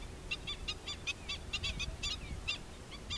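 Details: Adult black-winged stilt accompanied by chicks, calling in quick bursts of short, harsh, nasal yelps, several per second, with a soft low rumble underneath.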